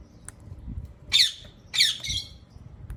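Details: Two harsh, drawn-out screeches from a ringneck parrot, a little over half a second apart, over a low rumbling background with faint clicks.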